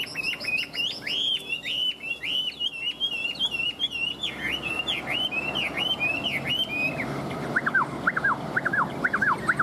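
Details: Chinese hwamei kept as a caged songbird, in full heated song. A long string of rapid, bouncing whistled notes is repeated many times, then changes into louder, steeply falling slurred whistles.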